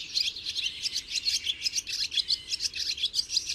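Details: A barn swallow gives a steady, rapid twittering song of high chirps and scratchy clicks, about four notes a second, continuous from start to finish.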